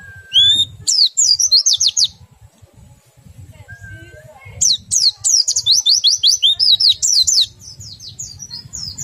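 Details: Oriental white-eye singing in the ngerol and nembak styles, which stimulate other white-eyes to sing: two rapid bursts of very high, sharply slurred twittering notes separated by a quiet gap of about two seconds.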